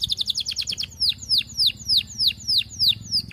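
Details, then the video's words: Canary courting a female with song intended to prompt other canaries into long rolls: quick high trilled notes, then a steady series of sharp, ringing downslurred whistles repeated about three times a second. "Kenari Gacor Panjang MERAYU BETINA Cocok Buat Pancingan Semua Jenis Kenari Biar Ikut GACOR NGEROLL"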